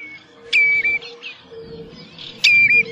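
Common redshank giving two loud, clear whistled calls about two seconds apart, each a sharp onset dropping to a level piping note; faint background hum.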